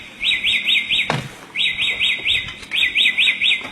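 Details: Samyong, a captive songbird in full lively song, delivering quick bursts of four or five high, rippling rising-and-falling notes repeated in short series, with one sharp loud knock midway.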